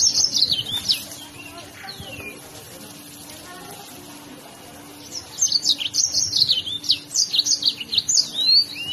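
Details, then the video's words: Yellow-fronted canary (burung mozambik) singing a fast, lively song meant as a tutor recording for other songbirds: rapid high twittering trills and slurred whistles, a quieter stretch in the middle, over a steady low hum. "kicau burung mozambik gacor mantab buat masteran"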